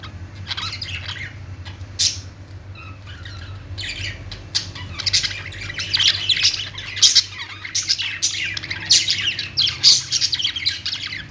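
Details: Budgerigar song from several birds: quieter scattered chirps at first, building into busy, sharp squawking and warbled twitters in the later seconds, with a continuous low electrical hum.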